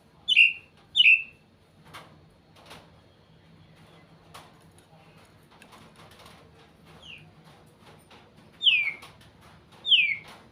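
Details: White-rumped shama singing: sparse, clear high whistles that slide downward, a pair at the start, then a softer one and two louder drawn-out notes after a quiet gap.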